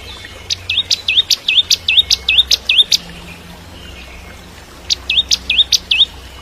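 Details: Bar-winged prinia singing energetically, recorded as a training song for white-rumped shamas; quick series of high, hooked chirps repeated about three per second, a pause, then a second shorter burst of the same notes.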